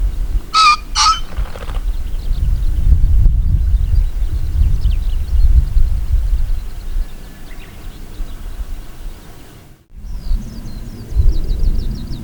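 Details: In spring to early summer, a male green pheasant gives its territorial song: a loud, harsh two-note crow followed by a brief rumble. Steady low wind or traffic noise runs throughout, with faint small birds calling behind.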